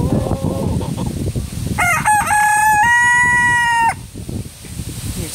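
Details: A black Silkie rooster crows in the morning, his crow said to be finally sounding more manly. There are a few rising harmonic notes, then a long, steady, held tone of about two seconds over rustling background noise.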